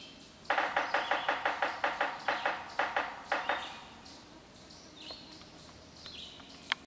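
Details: Yellow-bellied sapsucker drumming: a burst of sharp knocks, quick at first then slowing and spacing out irregularly over about three seconds, followed by a few thin high chirps from other birds against a quiet hiss.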